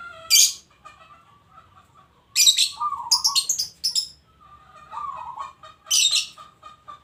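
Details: Local zebra dove singing warbled coo phrases among a dense series of sharp, rapid high chirps and twitters.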